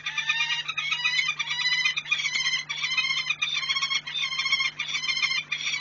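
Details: Peregrine falcon pair mating in the morning at Płock, Poland, on 11 March 2021; harsh, raspy, harmonic calls given in a rapid, continuous chattering series throughout, over a steady low mechanical hum.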